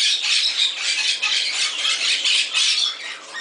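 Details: Pet Moluccan cockatoo kept in an all-bird shop in Summerville, South Carolina, playing: loud, harsh, raspy screeching held almost without pause, pulsing in quick bursts about four times a second, in a small indoor room.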